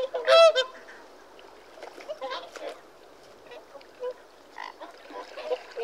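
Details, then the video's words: Whooper swan call: one loud harmonic trumpeting honk at the start, followed by fainter scattered honks from other birds in the distance. "Whooper Swan Bird Call Bird Song"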